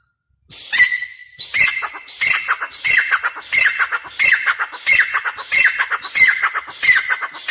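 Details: Grey francolin chicks calling: a loud, harsh, ringing note repeated steadily about every three-quarters of a second, each one a strained, grating chirp, continuing without a break.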